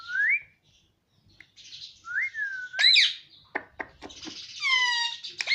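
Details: Indian ringneck parakeet kept as a pet, taught Hindi words like "mummy" and "mitthu": two rising whistled notes, a sharp screechy squawk, a few dry clicks, then a longer wavering, falling speech-like phrase and a brief squeak.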